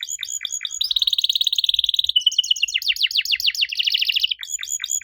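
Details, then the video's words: Canary song for prompting young canaries to answer: hooked chirps repeated rapidly, a steady buzzing trill, then a busy stretch of fast descending notes ending in more hooked chirps. "Kenari Muda pasti nyaut kalo denger suara aneh kenari ini"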